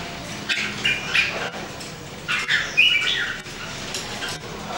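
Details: Red-whiskered bulbul, one of three (local name jambul) in daily singing training in 2018: short warbled phrases near the upper-middle range, in bursts about a second apart, over a steady background hiss with some clicks.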